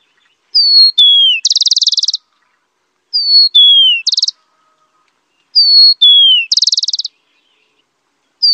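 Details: Rufous-collared sparrow repeating its song about every two and a half seconds: two clear whistles, the second lower and falling, followed by a fast, even, high trill. The background is quiet.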